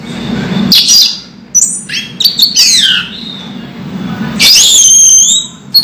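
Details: Orange-headed thrush kept in a cage and moulting, still singing: a few loud slurred and descending whistled phrases separated by pauses, over a low steady hum.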